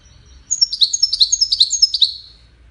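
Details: European goldfinch, Widani type, sings a rapid run of sharp, tinkling high notes, a liquid twittering phrase of about two seconds with nothing else clearly heard.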